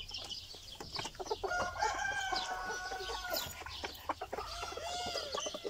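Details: Silver-laced Brahma ornamental chickens, 2020 birds from an Istanbul flock, giving drawn-out tonal calls and clucks over a background of many overlapping bird chirps.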